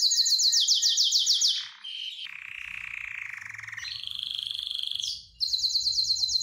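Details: Canary singing while excited and eager to mate: a fast high trill opens, followed by a long low buzzing rattle held for several seconds, then the bright rapid trill returns.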